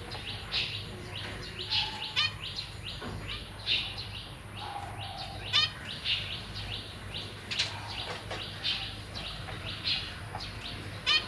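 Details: Caged zebra finch family on 1 May 2023, parents feeding their young. Many quick, thin chirps overlap with occasional louder harmonic calls and brief lower whistles, over a constant low hum.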